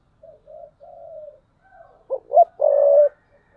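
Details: Spotted dove used as a decoy bird, giving soft low coos that build into louder, hollow cooing notes toward the end.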